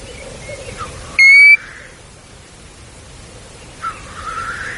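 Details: European golden plover on a spring bog in Kõrvemaa: a single short, pure whistle that rises slightly, clear and loud, followed by faint softer whistled sounds and quiet background.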